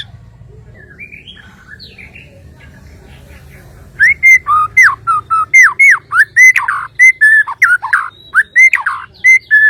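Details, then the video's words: Kalimantan white-rumped shama song: after a few quiet seconds of faint notes and low hum, loud clear whistles burst in, rising and falling notes repeated rapidly in a lively, uneven sequence. "TERNYATA SEPERTI INI SUARA❗ burung murai batu Kalimantan"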